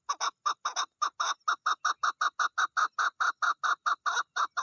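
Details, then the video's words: A female chukar partridge in the mating season repeats harsh, clucking chuk notes about four or five a second, steady and strong, with no other sounds behind. "مادی چکور کی مستی کا وقت the mating season or female partridge"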